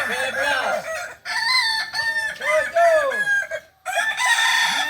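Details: Ornamental Kukuak Balenggek chicken native to Solok, West Sumatra, at a practice meet; back-to-back crows made of repeated arched, bouncing syllables, separated by brief pauses, loud and harmonic.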